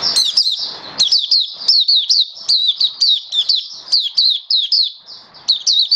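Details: Oriental white-eye, a caged hobby bird recorded 21 October 2022 on its first day of a song-display booster, delivering a fast, continuous stream of bright, high, down-slurred chirps and twitters with barely any pause.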